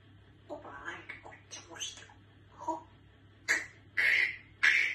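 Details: Pet talking grey parrot sneezing indoors: three short, sharp, explosive bursts close together near the end, preceded by softer scattered chattering sounds.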